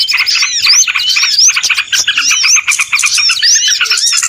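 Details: Short burst of a lively small-bird chorus meant to lure birds into traps, with bright rising whistles repeated about every half second over busy chirping.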